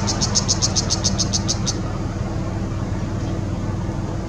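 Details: Brown shrike (Lanius cristatus) at a riverside restaurant on the Mekong River, Chiang Rai, Thailand, 5 February 2017, filmed with a Nikon CoolPix P900: about ten rapid high, harsh chattering notes over under two seconds, then steady low rumbling background noise.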